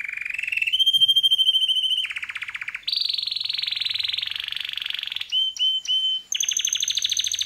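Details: Caged pet canary, a male, singing a loud, varied song of rapid trills in distinct tours: a high sustained whistle, buzzy rolling phrases, quick chopped notes, then a fast rising trill.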